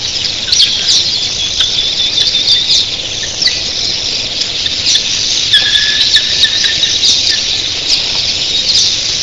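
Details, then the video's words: An early-morning flock of thousands of red-billed queleas keeps up a high, buzzing chatter with a few sustained whistles showing through, over a continuous surf-like rush of wings. "RED BILLED QUELEAS EARLY MORNING"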